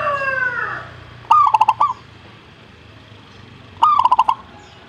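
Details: Zebra dove song in two phrases roughly two and a half seconds apart: a brief rising note, then rapid stuttering coos. A separate descending, harmonic-rich sound opens the recording, with faint low hum throughout.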